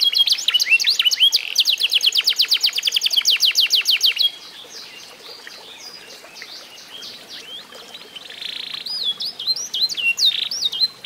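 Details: Song of an F1SF canary aged eight months, trained through mastering: a dense high trill for four seconds, then quiet, followed by scattered rising whistles and a brief buzzy note.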